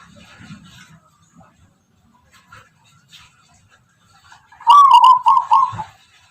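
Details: Zebra dove, local wild Tuban strain known for a distinctive rhythmic song. Faint murmuring comes first, then one loud, fast, trilled cooing phrase lasting about a second near the end.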